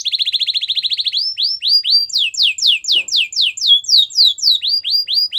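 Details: Belgian canary song for training a silent canary: a fast pulsing trill, then clear falling whistled sweeps repeated about four per second, rising higher midway and dropping back toward the end.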